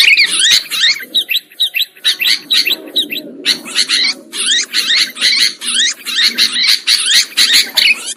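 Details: Lure sound for trapping sooty-headed bulbuls, many birds calling together in rapid bubbly bursts, roughly two phrases per second, overlapping chirps and short rising notes, with a soft low murmur underneath.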